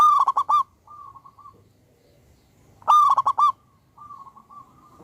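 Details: Local wild-type zebra dove, very vocal with a big voice, recorded as a lure to prompt singing: two loud rolling coo phrases, each a rapid stutter of about five throbbing notes, followed by softer trailing coos.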